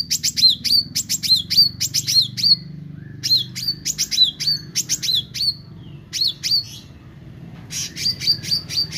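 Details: Actively singing meranti bird delivering bursts of crisp, high twittering notes, each burst ending in a bent whistled note. The bursts come in repeated phrases about a second apart, with short pauses between groups and a soft low hum underneath.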